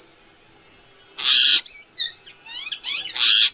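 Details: Indian ringneck parrot (rose-ringed parakeet, Psittacula krameri) gives two harsh, hissing screeches, with a quick run of chattering, sweeping notes between them that could be mimicked speech; talking.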